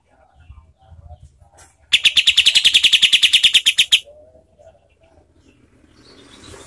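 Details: A cotton pygmy goose gives a fast burst of about twenty harsh, chattering notes, roughly ten a second, lasting two seconds, then faint background murmurs. The sound is used as a training recording for competition songbirds.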